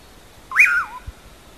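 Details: One whistled phrase of a common pauraque, the bacurau call called 'amanhã eu vou': a quick upward slur, a short steady part, then a downward glide, followed by a soft knock.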